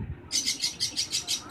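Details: A young hand-reared Javan myna being trained to talk gives a fast run of harsh, hissy, high chirps, roughly seven a second, after a brief quiet start.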